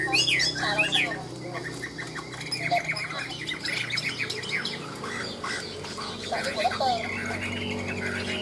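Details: Caged Chinese hwamei singing in the ngũ trường style, loud and high: a rapid, jumbled stream of harsh squawky notes mixed with sharp whistled slurs, delivered almost without pause, over a steady low hum.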